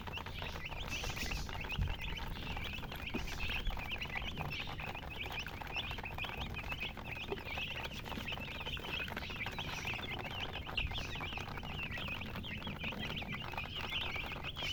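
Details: Baby chicks chirping in a group; rapid, high, thin peeps run on continuously, mixed with pattering and scratching noises and a low background rumble.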